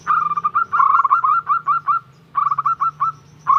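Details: Young local zebra dove delivering a rapid string of short, bubbling trilled notes in quick clusters. A brief pause at mid-clip is followed by another burst of stuttering coos, with a faint low drone beneath.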